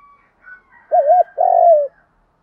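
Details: Spotted dove coo from a male and female pair, meant to stir doves into cooing. A rounded double-humped hoot then a long, steady, slightly falling coo, with faint higher tonal lines behind.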